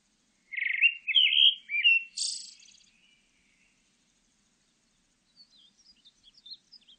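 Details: Song of a pale thrush: several rich warbled whistles rising and falling, a harsh high buzzy note, then scattered soft squeaky twitters after a pause.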